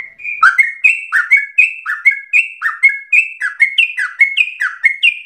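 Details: Singing yellow-vented bulbul (trucukan) in a 'ropel' run, compared with the straw-headed bulbul: fast chain of clear, slightly rising whistles, each paired with a short falling note, about three per second.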